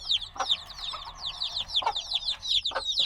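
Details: Several black baby chicks, hatched only a few days ago and still needing warmth, chirp noisily: dense high downward-sweeping peeps overlapping continuously, with occasional lower broadband taps or clucks.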